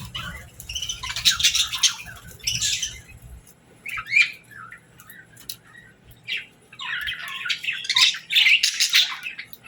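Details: Pet parakeets in a morning routine, with lovebirds present: harsh, scratchy squawks and bright chatter in irregular bursts every second or two, with a faint low hum at the start.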